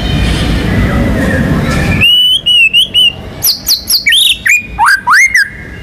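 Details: White-rumped shama, a national contest champion, in active song with rolling and 'shooting' filler phrases that lure other birds to call: after two seconds of broad noise, a varied run of sweet slurred whistles, high sharp notes and rising swoops.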